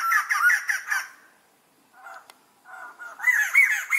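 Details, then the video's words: White-crested laughingthrush giving a laughing call: loud bursts of harsh, chattering notes that tumble up and down, a pause with softer notes, then another noisy, excited chorus of cackling phrases. "white crested laughing thrush amazing laughing call sound"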